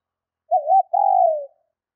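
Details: ['A single female spotted dove call for stimulating males, a quick undulating coo followed immediately by a longer, steady, slightly descending coo, heard in silence.']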